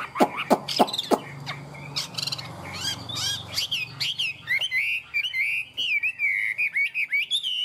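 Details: Tame caged Chinese hwamei: several loud sharp clicks and harsh notes over a low hum, then a long flowing stream of bright, sliding whistled phrases repeated in quick bursts.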